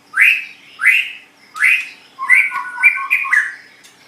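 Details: White-rumped shama song for training caged songbirds: three loud upslurred whistles about 0.7 seconds apart, then a quick run of mixed whistled and chattered notes.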